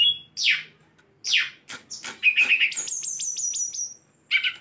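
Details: A tame sulingan gunung kept as a cage bird sings downslurred chirps, then a warbled phrase and a fast run of high repeated notes, followed by a short chirp.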